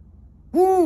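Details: Captive Abyssinian long-eared owl at an owl cafe in Tokyo, Japan, giving a greeting call: one short, loud, slightly downslurred hoot with rich harmonics, cut off abruptly, after half a second of quiet.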